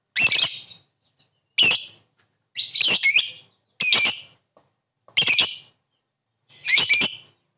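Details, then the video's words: Lovebird calls meant to lure a quick response: six loud, harsh, screechy chirps, some doubled, repeated roughly every second and a quarter in an uneven rhythm. "Suara burung Lovebird memanggil di sertai ngetik ngekek pancingan labet cepat respon"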